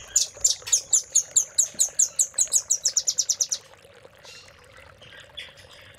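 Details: Velvet-fronted nuthatch (rambatan paruh merah), a master song used to train caged songbirds: a rapid run of about fifteen sharp, very high chipping notes over three and a half seconds, then a few softer scattered notes, with a steady low hum behind.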